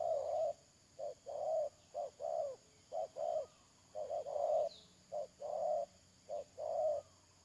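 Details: Decoy spotted dove for trapping, 31 May 2022, cooing steadily: paired notes, a brief coo then a longer fuller one, repeated about every second, plus a soft high chirp midway and a steady background hum.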